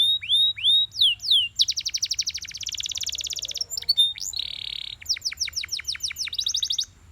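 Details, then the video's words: Belgian canary singing in the morning: a few clear curved whistles, a long fast trill, a buzzy sustained note, then quick repeated sweeps and a closing trill. "Belgian Canary Singing In The Morning"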